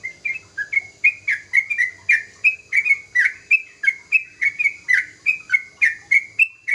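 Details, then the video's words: Chattering song of a young sooty-headed bulbul: a steady, fast series of bright whistled notes, about three and a half per second, alternating short rising and falling slurs with buzzy overtones, sustained for nearly seven seconds. "Suara burung trucukan muda gacor"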